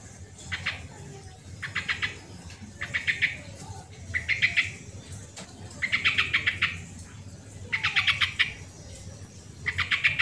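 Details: Sooty-headed bulbul song, original recording meant as a lure for birds reluctant to sing: short bursts of rapid, buzzy pulsed notes, repeated about every second, with quiet low background hum.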